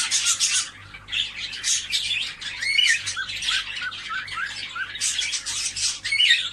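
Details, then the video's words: Cockatiels in a recording meant to encourage them to mate: dense, overlapping harsh squawks and chirps from several birds, with quick upward-sweeping whistled notes cutting through the continuous chatter and brief quieter gaps. "مقطع لتحفيز طيور الكوكتيل على التزاوج"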